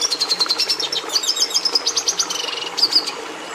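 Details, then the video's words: Red siskin delivering a fast, high twitter: repeated sharp chirps flow into buzzy trilled runs and a lower buzzing note, ending with a bright flourish, over faint steady background noise. "Canto do Tarim da Venezuela"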